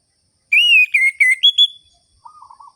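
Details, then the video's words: Orange-headed thrush phrase in the ngerol-ngeplong style, used as a lure to rouse lazy birds of its kind: a long clear whistle, quick slurred notes and a higher held whistle, then a short low trill. "ANIS MERAH GACOR ABIS untuk pancingan bunyi burung anis merah yang loyo"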